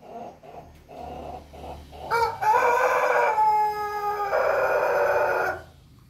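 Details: Pelung rooster crowing: after a few soft low calls, a loud, long, harmonic crow holds steady for about three seconds, then swells into a second sustained phrase before cutting off.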